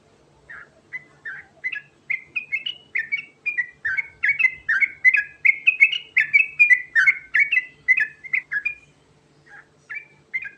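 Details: Sooty-headed bulbul (trucukan), 'garuda' type, in continuous rolling song used as a lure to make other birds answer: a long run of short liquid whistled phrases, rising and falling, about 2–3 per second, with a brief pause near the end.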